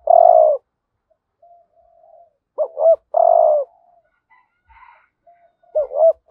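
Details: Spotted dove lure call used to draw wild doves, a full urging coo routine in the hạp bổi voice style: a drawn-out rough low coo, then paired short swooping notes leading into another long burry coo, with soft murmurs between.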